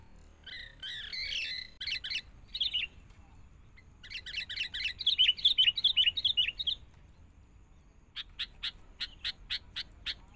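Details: Young wild-caught sooty-headed bulbul in training beside a lure bird: bursts of bright, chattering notes, then a rapid bubbling phrase, then a run of sharp, evenly spaced chips near the end.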